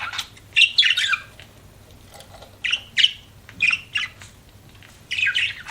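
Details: Budgies uttering short, separate chirps and squeaks in small clusters with quiet gaps between them and a low hum behind.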